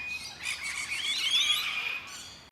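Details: Sulphur-crested cockatoo in Carisbrooke Park, a suburban Adelaide park in South Australia with river red gums along the Little Para River, gives a long, harsh, grating screech of about 1.5 seconds, then a brief rasping note.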